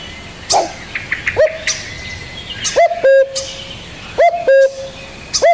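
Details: Spotted dove calling in two-part coos, a short upswept note and a steady longer note, irregularly spaced, among light chirping of other birds.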